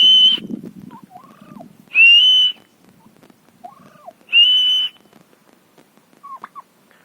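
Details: Turkey at a farm house: three loud, clear whistled notes about two seconds apart, each steady then slightly rising, with faint lower chirps and quiet background noise between them.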